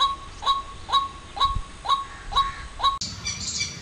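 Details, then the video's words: White-breasted waterhen in Jammu and Kashmir giving its loud, harsh "wak wak" notes about twice a second, steady and insistent, with a brief burst of rustling noise near the end. "Sound of white breasted waterhen ,WAK WAK"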